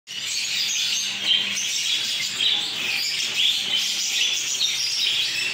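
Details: Home-bred African lovebird chicks in a breeding setup, a steady overlapping wash of high, thin chirps and squeaky twitters with a few sharper peeps standing out, no pauses throughout.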